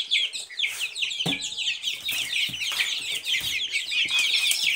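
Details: Many young Silkie chicks cheeping together: rapid, high, slurred notes pouring out without pause, punctuated by a few sharp taps and rustles.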